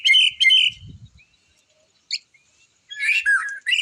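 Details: Loud, fast phrases from a white-rumped shama: ringing whistles and harsh chatter in two bursts, a short sharp note midway, then a dense energetic outburst of varied notes.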